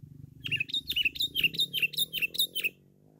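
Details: Sooty-headed bulbul, described as loud and very chatty, used as a lure recording: a fast run of about eight bright, slurred, dipping notes, evenly repeated over two seconds, over a low rumbling background.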